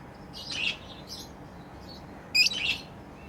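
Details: Pet lovebirds chirp during play: a soft, scratchy twitter, a brief faint note, and then one sharper high chirp that runs into a raspy trill, over quiet background hiss.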